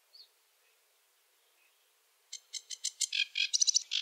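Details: Quiet start with faint notes, then a sedge warbler in a wetland breaks into fast chattering, buzzy song phrases for the last couple of seconds.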